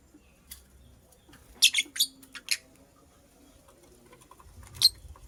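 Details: Purple lovebird, a female busy making a nest, utters a rapid series of four or five high, scratchy chirps, then falls quiet before one last sharp chirp, over low background rumble.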